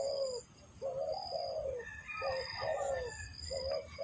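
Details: Spotted dove (tekukur) calling for luring during bird trapping: soft, low cooing phrases of two to three notes, slightly rising then falling, with a steady high pulsing whine in the background.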